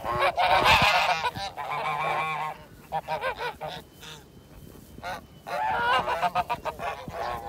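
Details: Honking from a white Kholmogory gander, hatched 2017, at a farm for ancient purebred breeds, on 7 September 2019: loud, brassy, nasal honks in rapid bursts, a quieter gap mid-clip, then another forceful run.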